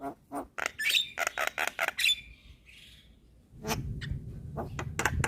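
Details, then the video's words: Black-winged myna, white-eyed, nodding cage bird, recorded as training song for other cage birds: harsh clicks and buzzy chattering notes in a rapid run, a hoarse burst, a pause, then scratchy calls over low background rumble. "Jalak Kebo gacor Suara Asli / Masteran Jalak Kebo Mata Putih / Masteran Jalak Kebo Manggut2"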